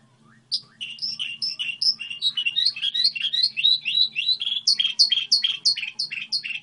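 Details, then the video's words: Model song of a goldfinch hybrid: after a brief hush, a rapid chain of sweet, slurred high notes and twitters, loudest toward the end, with a soft electrical-sounding hum in the background. "Hibrid sticlete ,model de cântec (Goldfinch hybrid)"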